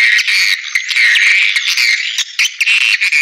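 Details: Playback recording of swiftlet calls meant to attract the birds to nesting houses. Many high-pitched chirps overlap into a steady twittering mass, with brief dips between bursts.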